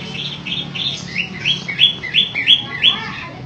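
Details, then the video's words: Long-tailed shrike, kept as a singing bird and described as singing vigorously, gives a quick series of about eight short, bright, rising whistled notes, spaced about a third of a second apart, over a faint low hum. "PENTET MATAHARI SUPER GACOR"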